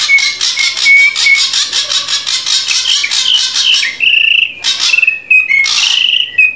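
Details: Drongo singing, used to train a captive bird: harsh chattering phrases with short whistles, then a louder buzzy trill and a few sharp bursts mixed with whistled notes.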